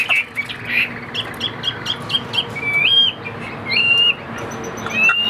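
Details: Chinese hwamei giving sparse short chips, then a few drawn-out pure whistles that rise at the end, with quiet gaps between the notes.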